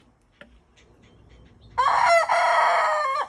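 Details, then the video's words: Backyard rooster giving a single loud crow of about a second and a half, a rich harmonic cry held steady and then dropping sharply at the end, after a few faint clucks and rustles. "Rooster Crowing"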